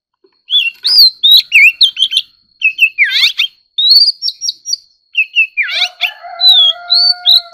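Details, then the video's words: White-rumped shama, a caged ornamental bird kept for competitive singing, delivers a loud, varied song of clear whistled slurs, rising and falling notes, rapid buzzy trills and sharp chips, with pauses between phrases and a long low steady tone near the end. "choè than kích hót || choè than hót đấu"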